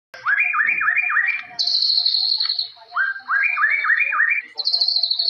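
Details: White-rumped shama, a forest bird, singing full jalilin-style song: rapid series of rising whistled slurs alternating with long high, slightly falling whistles.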